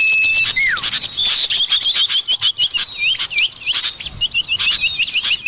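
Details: Common iora used as a forest bird lure: a held, even whistle slides into a quick downward note, then dense high twittering and looping chirps from many birds fill the rest.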